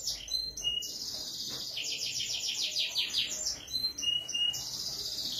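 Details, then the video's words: Canary singing: rapid high trills and buzzy rolls, fast repeated notes, whistled slides and chattering phrases, continuous and loud throughout. "kenari gacorr"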